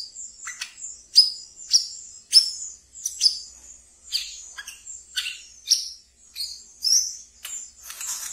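Olive-backed Sunbird giving a fast, chattering song of thin, very high, sharp down-slurred notes and brief buzzy trills, about two notes each second.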